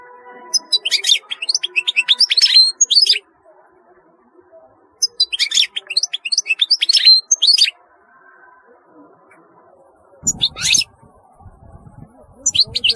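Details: European goldfinch song in repeated phrases of rapid, liquid twittering and tinkling notes, each lasting about two to three seconds with quiet gaps between, one phrase closing over a low rumbling thud.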